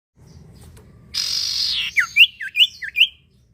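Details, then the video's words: Common iora song used as a lure to prompt other birds to sing: a harsh buzzy rasp, then five quick upslurred whistled notes around two per second. "sirtu atau cipoh gacor manjur buat pancing bunyi burung bahan"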